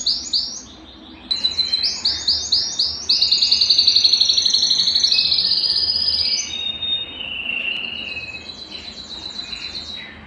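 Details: Belgian canary singing, used to warm up a cold canary: a high run of fast repeated notes, then a long rapid trill that slowly falls, ending in softer lower warbles.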